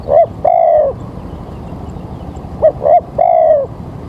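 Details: Spotted dove cooing at an early-morning trapping site as rain threatens: two sets of soft hollow coos, short notes followed by a long drawn-out coo, over steady background hiss.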